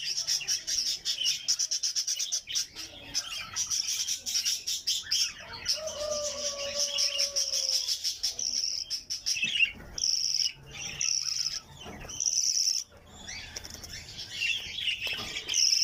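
Budgerigars chatter in a steady stream of high, scratchy chirps and warbles.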